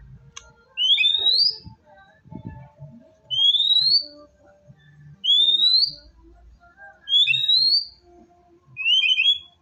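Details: White-rumped shama lure song for a quiet bird: pure, upslurred whistles, one about every two seconds, each climbing steeply to a high end, with faint low noises between them.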